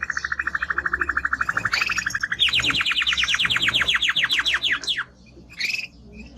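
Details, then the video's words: Timbrado canary, a strong male singing: a long low rolled trill of rapid repeated notes, then a faster series of steep descending sweeps, ending in brief softer chirps. "Canary singing Strong Bird - ذكر كناري تغريد نار"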